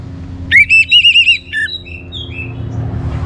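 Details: Short orange-headed thrush phrase: a rising whistle into a rapid trill of wavering whistled notes, then softer fading whistles. Played to encourage other birds to sing.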